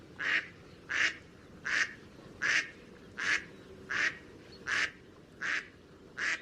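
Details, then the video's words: A Mallard gives nine harsh, nasal quacks, evenly spaced about every three-quarters of a second, over a quiet background. "Mallard duck"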